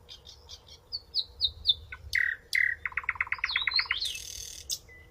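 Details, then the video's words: Songbird singing: high thin whistled notes near the top, then a loud downslurred note, a rapid rattling trill of repeated notes, and a sweeping buzzy phrase, varied and sweet, over a faint low background rumble. "Pássaros canto perfeito"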